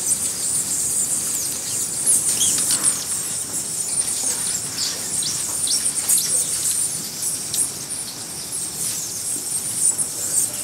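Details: White-necked jacobin hummingbirds at the Buenaventura Reserve, Ecuador: very high, thin squeaky chips and short sweeping notes given irregularly, about two per second, over a steady high-pitched hiss.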